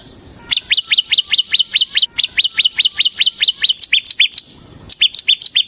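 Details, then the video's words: Bar-winged prinia (ciblek semi) in gacor 'ngebren' song: a rapid, even train of about fifteen loud, high, rising-then-falling chirps, a short gap, then a further quick burst of high notes. "suara burung CIBLEK SEMI GACOR Ngebren"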